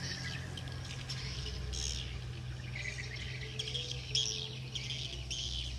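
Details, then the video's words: Swiftlets returning to roost, giving buzzy, rasping chirps in short bursts, with a steady low mechanical hum underneath throughout. "Swiftlet return"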